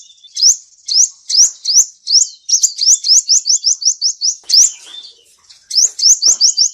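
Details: Lure song of a male seven-coloured sunbird for trapping: spaced high upslurred whistles that quicken into a fast rising series, pause, then restart briefly.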